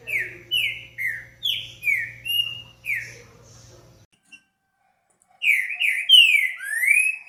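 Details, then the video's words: Green-winged saltator whistling bright descending notes for about four seconds over a faint low hum, then a brief silence before another burst of slurred whistles. "TRINCA FERRO ,os melhores Cantos"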